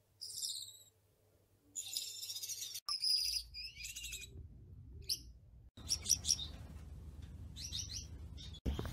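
Gouldian finches giving thin, very high chirps and short buzzy trills in quick bursts, over a low hum with a few abrupt breaks between passages.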